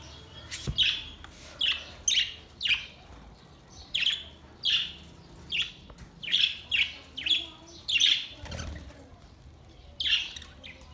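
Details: Pet budgerigars chirping on 22 May 2023, sharp squeaky notes in irregular runs with a few pauses, one low thump near the start.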